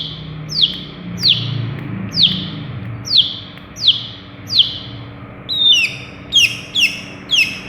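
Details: Long-tailed shrike, a Madura singer able to mimic many birds, gives a run of sharp downward-slurred whistles, one roughly every 0.6 seconds, then quicker, higher notes with overtones near the end; a faint low hum underneath.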